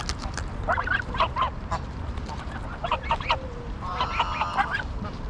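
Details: Greylag geese at Pearson Park in Hull, England, 22 August 2021, recorded on a GoPro Hero9: a group giving overlapping nasal honks and cackles, ending in a longer drawn-out call, with low rumbling background noise.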